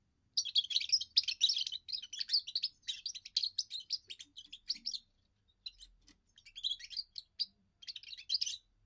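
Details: Young European goldfinch giving its first song, used to defend territory and attract females: fast twittering bursts of high, buzzy and tinkling notes in phrases of one to two seconds, with short pauses and a brief gap midway.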